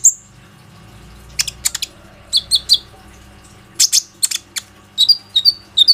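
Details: Konin (Plain-throated sunbird) sounding as a lure for other sunbirds, recorded on an Oppo A37f phone: spaced clusters of sharp high chirps, closing with a run of short whistled notes.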